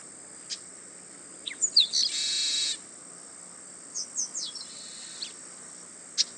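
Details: Male chestnut-capped blackbird (Chrysomus ruficapillus) singing in the wild at Itatiba, São Paulo, Brazil, 24 March 2017, 08:40: a few sharp, high chirps, then a harsh buzzy rasp under a second long, more scattered chirps after, with steady insect hiss throughout.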